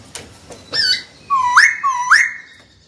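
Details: Captive white-cheeked laughingthrush singing to provoke a rival: a short whistled note, then two swooping phrases that dip low and leap up sharply, over faint background hiss.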